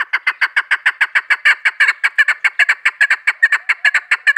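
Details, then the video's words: Female chukar partridge heard in a hunter's call recording: a steady, rapid run of harsh clucking chuck notes, about five every second, continuing throughout without pause. "shakari awaz madi chakur kiklik conc"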